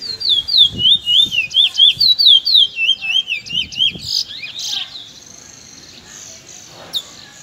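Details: Young Trinidad bullfinch (chestnut-bellied seed finch) singing close in the afternoon, a loud, regular series of sliding whistled notes repeated several times a second for four seconds, followed by softer chips and near silence.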